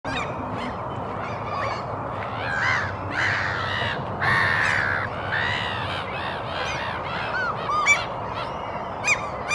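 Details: A Lesser Black-backed Gull couple scavenging on a lawn in Helsinki, Finland, in April 2022 call softly with short nasal, honking calls that overlap in quick bursts. Common and Black-headed Gulls call in the background over a steady hiss.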